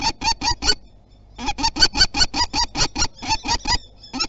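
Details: Common kestrel defending its territory at Théding, France, on 27 April 2021: harsh, loud kee notes in a quick series, four notes, a brief pause, then a steady run of about fourteen more at roughly three per second.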